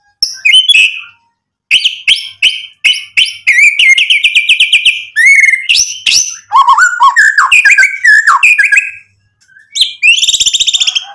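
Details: A white-rumped shama in full song, goading rivals to respond, delivers rapid repeated chattering phrases, a fast even trill, deep-then-high swooping whistles, and a final burst of bright buzzy notes.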